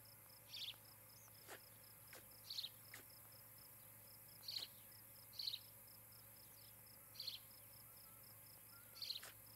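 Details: Osprey couple nesting near Charlo, Montana, on a nest camera, 17 July 2018, evening; high chirps repeated about every one and a half to two seconds, with sharp clicks between, over steady insect-like ticking and a hum.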